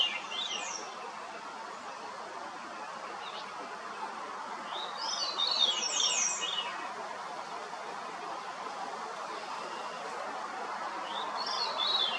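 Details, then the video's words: Wild Veery song: ethereal, reedy downward-spiralling phrases, one starting the recording, a full phrase midway and another near the end, separated by several seconds of quiet hiss. "Grive fauve, chant / Veery, song"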